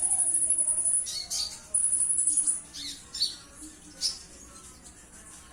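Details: Purple-throated sunbird, known locally as konin, a kept nectar-feeding songbird valued for mimicking other species; sustained very high sibilant trill for about a second, then broken high chirps and a second long thin trill.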